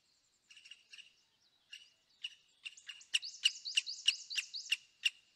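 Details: A Himalayan Woodpecker calls in the background at Manila, Almora, Uttarakhand, India, giving sharp, high chipping notes, scattered at first, then a steady run of about three per second.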